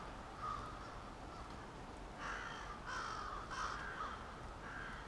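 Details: Roosting crows in suburban Halifax, Nova Scotia, gathering for the night; three or four louder hoarse caws rise from a constant, crowded background chorus of calling birds.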